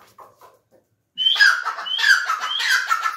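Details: Grey francolin (teetar) bursting into three loud, harsh, rhythmic notes after a short quiet start. Each note has a rising whistled lead-in and a grating, descending body, repeated about every half second.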